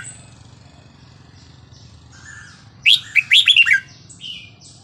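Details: Red-whiskered bulbul singing the Burmese regional style, 3-4-5-6, used to teach young birds. Soft distant chirps, then a loud rapid phrase of tumbling bubbly whistles, followed by quieter notes over low background hum.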